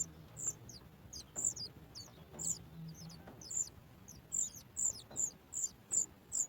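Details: Sooty chat chick at its nest calling when the mother brings food: high, thin squeaky notes, at first spaced about a second apart, then quickening into a rapid series near the end.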